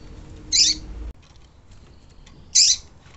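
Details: Double-collared seedeater; female call; female call that stimulates males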